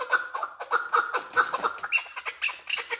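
A male chukar gives a rapid run of harsh, clucking chuck notes, about four or five a second, climbing higher and more excited toward the end.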